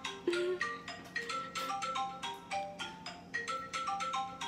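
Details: Bright plinking mallet music, like a marimba melody of short repeated notes, plays with no animal sound.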